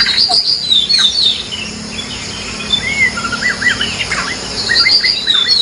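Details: White-rumped shama singing in the wild, a varied run of short whistled and chirping phrases sweeping between mid and high pitch, with a steady insect drone and other bird notes behind.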